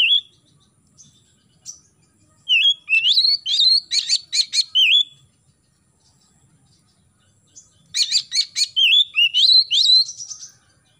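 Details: Oriental magpie-robin in morning song, played to get young birds singing: two bursts of fast rattling clicks mixed with upslurred whistles, separated by a silent gap of about three seconds.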